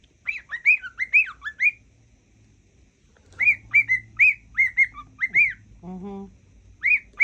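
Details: A pet cockatiel whistles what its owner believes is the Mickey Mouse song, in clear, bright, quickly rising and falling notes, in two phrases split by a pause, with one lower nasal note near the end.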